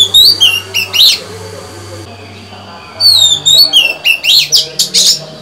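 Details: A caged female white-rumped shama sings to stimulate males, a busy run of varied whistled slurs, rising and falling notes and short sharp chips, with a brief pause near the middle before the song resumes.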